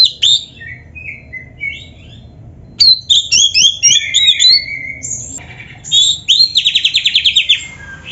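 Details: White-rumped shama singing a varied, full song meant for training caged birds: scattered whistles, then dense chattering phrases, ending in a fast, buzzy trill of evenly repeated notes.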